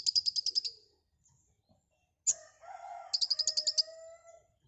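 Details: Konin (white-rumped shama) in active full filler song: short high rattling trills open and close the phrase, with a sharp chip and lower warbled, whistled notes in between.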